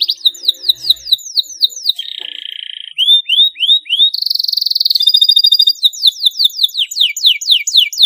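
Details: Canary song used to stimulate silent canaries to sing: varied tours of rapid, sweeping high notes, a lower buzzy roll, rising upsweeps, and a dense metallic trill, returning to descending swept notes.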